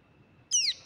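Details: Young pale-billed flowerpecker chick giving one thin, high, whistled call that sweeps sharply downward and lasts about a quarter second, with quiet surroundings before it.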